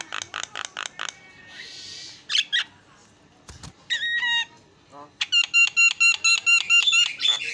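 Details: Javan myna (jalak kebo) singing in a training recording: a rapid run of dry ticking notes, a hissing burst, then a fast series of evenly spaced, ringing, nasal pulses.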